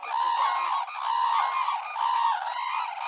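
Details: Red-crowned cranes, several birds giving loud, trumpeting calls that overlap in a continuous chorus of bugling notes, about one a second, with no break in the din.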